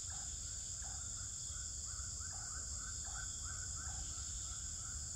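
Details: In a Pekanbaru swiftlet house, Indonesia, swiftlets repeat paired chirps, a higher note followed by a lower one, about once a second, over steady high hiss and rumbling background noise.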